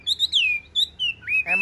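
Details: Tame caged Chinese hwamei with blue eyes singing: short phrases of pure high whistles that glide downward, repeated with brief pauses, ending in a rougher, fuller note.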